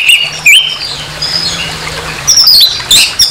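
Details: Orange-headed thrush singing roughly, as bait to stir aggression in a rival: short sharp upslurred whistles and high squeaky notes in brief loud bursts between softer twittering, faint hum throughout.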